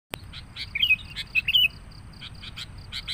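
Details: Sooty-headed bulbul lure sound in a busy, noisy style used to attract bulbuls: rapid high chirps and a few bright, liquid whistled notes, over a steady low hiss.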